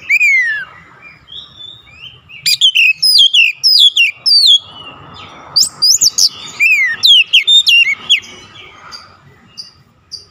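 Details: Oriental magpie-robin singing insistently through its isian repertoire of learned phrases: an opening falling whistle, then fast volleys of piercing slurred notes and high chips, separated by softer twittering passages.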